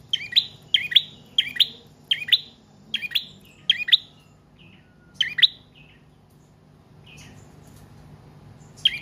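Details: Prinia singing used as a lure and a model for cage birds: a fast series of sharp paired chirps that slows, fades into a quiet stretch, then returns with a single chirp.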